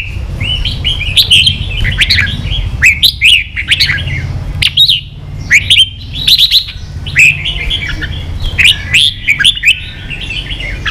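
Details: Red-whiskered bulbul singing phrases meant to train young birds: repeated bubbly, warbling phrases with sharp accented notes, separated by short pauses, over a low steady background rumble.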